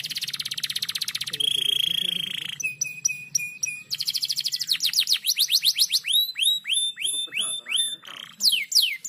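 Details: Canary lure song for training, speedy and tightly packed: a buzzy rapid trill, a sustained steady tone, clipped repeated pips, then descending whistled sweeps and rising looped notes in quick succession.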